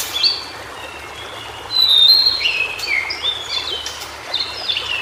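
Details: Wild white-browed shortwing (cingcoang biru) in natural habitat delivering a series of clear high whistles, short flat notes alternating with sharp falling and rising slurs, over soft running-water noise.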